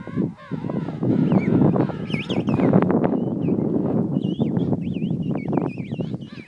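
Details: King penguins calling in a busy colony where parents feed their chick: harsh, harmonic honks over a steady crowd din, with high, wavering whistles repeating in the background.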